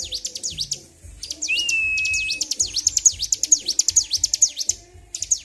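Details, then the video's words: Agitated caged Bar-winged prinia singing continuously (ngedur), 26 February 2023: quick repeated down-up sweeping chips, roughly two each second, broken by a drawn-out steady whistle after a short gap; soft low knocking behind. "CIBLEK GACOR || PANCING EMOSI BURUNG CIBLEK"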